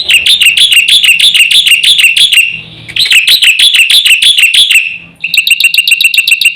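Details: Black-winged myna song used to provoke other mynas into calling: loud, fast chattering of repeated sharp notes, about three per second, in long bursts separated by brief pauses, with a faint low rumble underneath.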